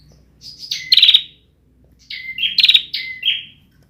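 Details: Bar-winged prinia, a young bird still developing its song, 2021: two short phrases, each a thin rising note, a harsh rattling burst and a flat whistle, separated by about a second of silence.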